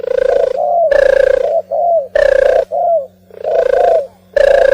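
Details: Harsh, strained cooing from an oriental turtle dove, coarse droning notes alternating with short falling slurs in a steady cycle, a faint mains hum underneath.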